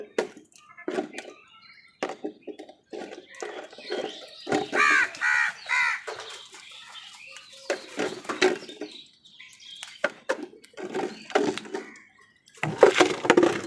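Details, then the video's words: Crows squabbling with wild birds over food; a busy run of harsh, buzzy caws in bursts, loudest mid-way, mixed with chattering calls and short clicks throughout. "কাকের ডাক Crow Sound Wild birds fight with crows for food"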